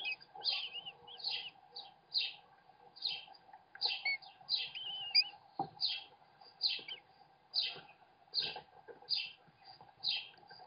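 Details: American kestrel chicks at a webcam nest while their father feeds them: harsh, rasping squeals repeated roughly twice a second, mixed with thin wavering whines, over a constant electrical hum.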